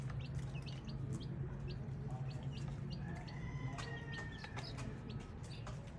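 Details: Baby chicks give quick, high, repeated peeps, plus one longer drawn-out whistle-like note midway, all over a loud low rumbling background.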